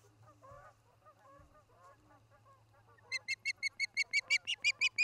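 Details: Osprey at a nest in Charlo, Montana, filmed by nest camera on an August 2018 evening: after three seconds of lower honking from geese, a loud series of sharp whistled chirps follows, about three per second.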